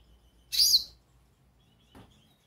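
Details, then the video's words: Goldfinch calling: one bright, high, slurred chirp lasting under half a second, then a much fainter short note about a second and a half later, over a quiet background. "Pintassilgo chamando"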